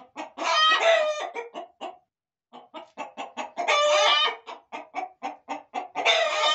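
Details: Roosters and hens kept in a corral: loud harsh squawking bursts alternate with runs of rapid staccato clucks, three squawk bursts in all, the last cut off at the end.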